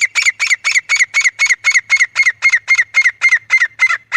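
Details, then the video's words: Grey francolin calling for hunting use, a rapid series of harsh squawking notes repeated about four times a second, steady and evenly spaced throughout. "Desi Teetar Calling Sound"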